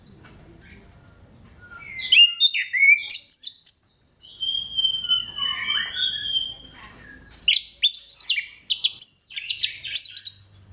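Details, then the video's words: Orange-headed thrush song played to stimulate other thrushes to sing: after a quiet start, a long run of high whistles, slurs and sharp chirps with brief pauses. "KICAUAN SEBENING KRISTAL ANIS KEMBANG GACOR PANCINGAN MANJUR"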